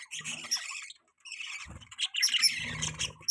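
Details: Budgerigar mating sounds with scratchy chirped warbling, a brief gap, then denser squeaky chatter over a low hum toward the end.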